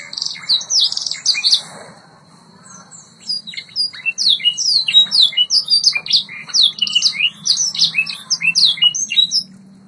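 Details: White Yorkshire canary, training song: opening burst of chirps, a short lull, then a long rapid series of repeated sweeping whistled notes and trills.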